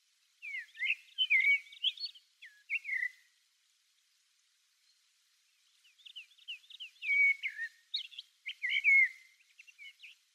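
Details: Common blackbird, a passage migrant, recorded far off on Okinawa Main Island and Ishigaki Island, Japan: two bursts of rich, fluty warbled phrases with slurred downward whistles and squeaky notes, separated by a quiet pause, over a silent background.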